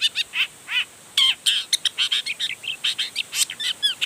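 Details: Long-tailed shrike singing with full emotion, showing off its repertoire to get other shrikes calling back; a varied, dense mix of loud chirps, downslurred whistles and harsh notes without a break.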